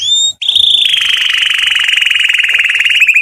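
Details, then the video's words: Canary singing to court females: after a short high note and a break, a long loud rolling trill continues steadily without pause. "The strongest canary twitter to hear and irritate females to mate"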